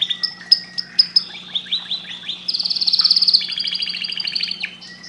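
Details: Canary song, loud and close: sharp separate chirps, a series of falling whistled slurs, then a rapid high buzzing trill followed by a lower rolling trill.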